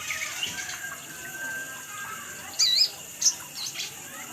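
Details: Little spiderhunter (sogon, sogok ontong) lure recording: a faint sharp high chip followed by a second short note over a steady hiss, with a soft lower whistle earlier.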